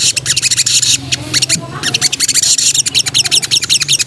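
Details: Female sooty-headed bulbul in breeding condition calling to a male: a continuous stream of rapid, high, sharp chattering notes, about three per second, with brief breaks and a faint low hum underneath.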